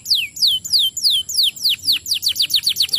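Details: Singing canary, the song meant to spur other canaries into song: loud descending whistled sweeps, slow at first then quickening into a fast run of short falling notes, about four per second.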